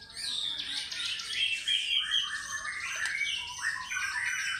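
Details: Fighter-style singing from a White-rumped shama, pouring out its repertoire as a dense, continuous stream of high chattering and whistled notes with little break.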